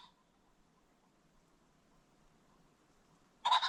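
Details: Along a creek bottom as the sun sets, mostly quiet hiss before a ring-necked pheasant bursts out with a loud, harsh, doubled call at the close.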